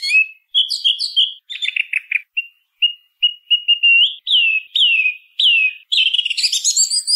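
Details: Song thrush song: high chirps, a buzzy note, soft short whistles repeated several times, then three loud descending whistled slurs and a closing burst of high twitter.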